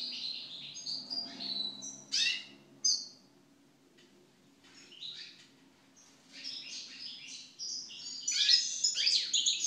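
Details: Post-moult European goldfinch (Carduelis carduelis) song: bursts of liquid twittering and a sharp rising note, then a near-silent gap of about three seconds before a fresh run of tinkling, buzzy chirps builds louder toward the end; faint low hum underneath.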